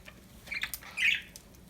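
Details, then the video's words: Happy budgies indoors: two quick clicky notes lead into a louder, rough chirp that wavers for about a quarter second. "Happy budgies chirping sound"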